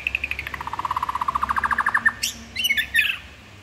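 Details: White-rumped shama singing: a fast run of about thirty clipped, evenly pulsed notes that speed up and climb slightly, then a few harsh, buzzy chattering notes. Low steady background hum.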